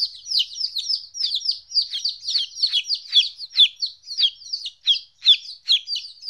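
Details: Chicks two weeks old, newly separated from their mother, call with sharp high peeps falling in pitch, delivered in uneven clusters with short gaps between.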